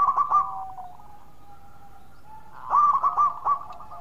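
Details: Loud local zebra dove in full song, answered by others: a burst of clipped, bubbling coos, then a long thin steady tone, then another stuttering coo phrase rising out of it.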